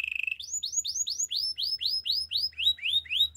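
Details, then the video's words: Short rapid trill from a canary, then a string of about a dozen rising whistled sweeps repeated at an even, unhurried pace. "Beautiful voice of canary bird | The best canary sounds"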